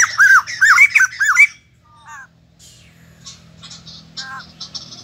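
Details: Recently caught white-crested laughingthrush in a cage: a short volley of loud arched squawks, then near silence broken by faint distant chirps and scratches.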